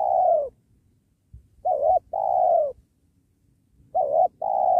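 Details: Wild spotted dove during trapping next to a sacred tree, described as a strong cooer: paired low coos, each a brief wavy note then a drawn-out even note, repeating about every two seconds over faint low background noise.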